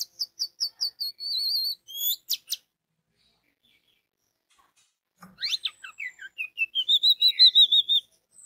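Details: Orange-headed thrush song used as bait to get other orange-headed thrushes singing. A string of evenly spaced, repeated piping notes and a drawn-out whistle come first, then after a silence a rolling series of rising, slurred whistles.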